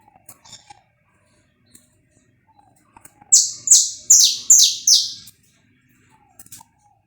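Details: Live recording of a saffron finch singing to warm up birds. Faint soft chips lead into a run of five strong, buzzy, descending notes at a steady pace, followed by quiet chips again.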